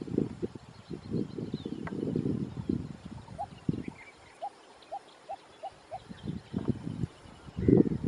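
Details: Lesser coucal (Centropus bengalensis) in Kerala, India, gives a run of about eight short, hollow, mid-pitched notes evenly spaced about a third of a second apart. Low rumbling thumps and noise come before and after.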